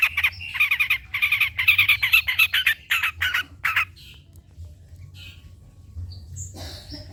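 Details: Long-tailed shrike delivering a rapid run of grating, chattering notes, about four per second, then falling quiet except for a few faint high thin calls. The recording serves to stimulate and train shrikes to sing.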